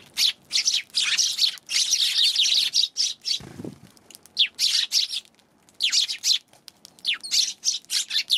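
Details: Sparrows recorded on 11 January, giving many overlapping chirps in dense bursts, some birds calling at once, with short pauses between flurries and a brief low rustle partway through.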